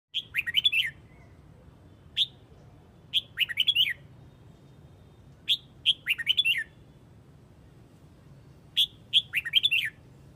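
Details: Red-whiskered bulbul from Huế, Vietnam, calling the flock: short bright whistled phrases of four to six quick notes around the upper-middle range, repeated in bursts roughly every two to three seconds, with a faint low hum beneath.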